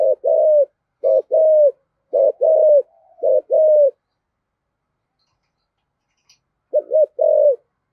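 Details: Newly caught spotted dove in the giọng thổ singing style; deep, hollow coos in short phrases of two or three notes repeated about once a second, then a pause of three seconds before another phrase.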